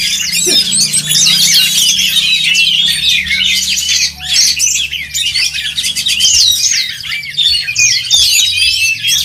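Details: Dense competition singing of oriental magpie-robins at a songbird contest: overlapping sweeping whistles, sharp chips and rapid rattling trills, briefly softer near the middle before resuming.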